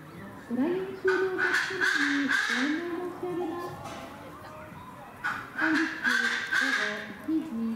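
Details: Captive White-bellied bustard at a zoo park in Kochi Prefecture, Japan, recorded 21 December 2019, giving two bouts of raucous, rhythmic croaking notes, rapidly repeated and separated by a quieter gap of about two seconds.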